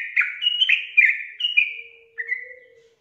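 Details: A sooty-headed bulbul gives rapid, slurred whistled notes, some drawn out and falling, with a faint steady low tone underneath. The song serves as a prompt to make lazy birds sing.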